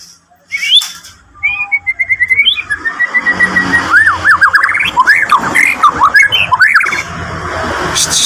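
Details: Agitated white-rumped shama, eager to meet a rival, sings loud rich whistled phrases: sliding notes, a sustained wavering whistle, then rapid looping rising-and-falling notes, with background noise and sound bursts at the start and end.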